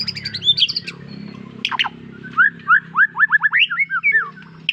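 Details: White-rumped shama singing: quick bursts of short, sharp whistled notes, some rising and some falling, then a fast run of about ten slurred chirps near the end, over a faint steady low hum.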